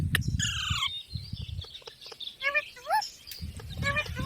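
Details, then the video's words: Parrot giving harsh, harmonic squawks, one descending run then short rising and falling chirps, with a man's voice speaking in Hindi and low thumping noise underneath. "Parrot Natural Sounds Compilation | Parrot Talking Videos/ Voice|Mitthu ki awaaz|Parrot ki awaaz"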